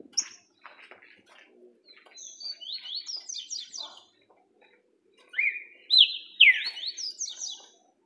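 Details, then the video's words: Green-winged saltator song delivered with much order: soft ticking notes first, then bright rapid whistled phrases, followed by a louder run of sweeping, downward-slurred whistles near the end. "Olha o que esse trinca ferro está fazendo quando começa a cantar."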